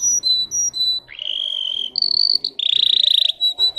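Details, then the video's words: Russian canary bred for singing, delivering a varied song: brief high whistled notes, a long steady mid-high tone, then a buzzing rolled trill and more sustained whistles. "The singing of a canary. Melodies Canary Bird song"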